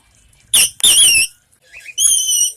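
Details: An escaped cockatiel (parrot), caught by animal control at a school and now being fostered, sex unknown, gives three piercing, harsh screams in quick succession, each loud and ringing high, with a brief gap before the last.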